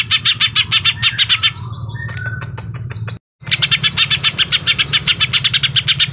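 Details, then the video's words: Greater green leafbird (Chloropsis sonnerati) giving fast, sharp, high chirps, about three or four a second, with a brief pause of scattered notes midway, over a steady low hum. "cucak ijo cica hijau suara pedas"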